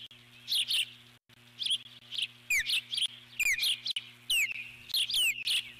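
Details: Eagle on its nest giving alert calls as a large intruding bird flies past, 12 July 2014: high, thin whistled notes sliding downward, repeated roughly once a second amid chittering, over a steady low electrical hum.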